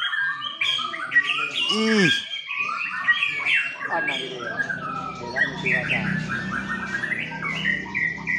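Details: White-rumped shama performing, bowing low while delivering a rich fill of mimicked phrases: a rapid, varied stream of loud whistles, chips and sharp notes, with a steep downward swoop near the start and a steady low hum behind.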